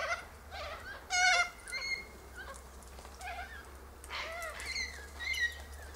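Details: A flock of sulphur-crested cockatoos feeds on seeds in a silky oak. A loud ringing squawk sounds around the first second, with scattered wavering calls from other birds following through the clip.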